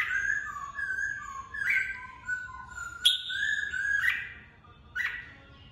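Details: Caged red-whiskered bulbul trained for singing contests: a run of clear slurred whistles, then sharp bright notes punctuating the phrase, the song ending in a short final chirp.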